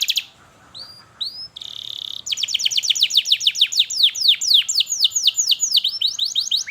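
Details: Lure song of a canary for young canaries learning to sing: a few soft upswept whistles and a buzzy note, then a long fast series of loud descending sweeps.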